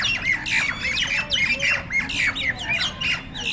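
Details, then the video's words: Jalak nias starlings locked in a group fight: harsh scratchy squawks and bent, slurred whistles pour out in overlapping bursts, loud and unbroken throughout. "Burung Jalak Tarung Burung Tarung Kroyokan-Burung Tarung"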